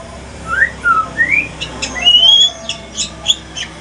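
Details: Male shama of the Aceh pastol style gives a sequence of clean, rising whistled slurs. A long, bright upward whistle follows, then a few sharp high ticks.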